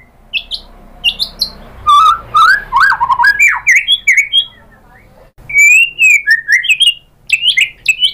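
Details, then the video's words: White-rumped shama song used as a lure for other birds, with varied filler material: scattered high chirps, a fast run of rising slurred whistles, a brief pause, then more fluty warbled phrases. "SUARA MURAI BATU bikin EMOSI NYAUT jadi GACOR BONGKAR MATERI ISIAN ¦ PANCINGAN MURAI"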